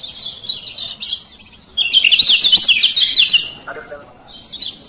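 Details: Lemon-bellied white-eye male, Lombok type, lure calls to make a lazy bird open its beak: a thin twitter, then a loud zigzag trill of rapid chirps, a faint lower note and a closing chirp burst.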